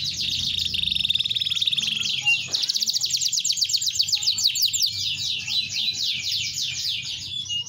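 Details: Singing canary delivers an extended high rolling trill that shifts speed and pitch, fast buzzy notes giving way to rapid chopped sweeps, nearly eight seconds of unbroken song with a faint low background hum.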